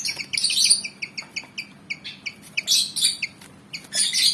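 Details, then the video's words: ['Keen to fight, a Malaysian pied fantail mixes quick bright chirps in a steady run with repeated harsh, noisy rasping bursts.'] "Burung Kipasan Jawa Ngotot Liat Pengen Tarung"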